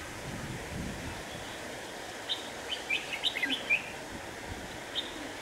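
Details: Lure red-whiskered bulbul at a trapping site, wind strong enough to rock its cage, 26 November 2018: a rapid cluster of sharp, bright chirped notes lasting just over a second, then a single later note, over constant wind noise.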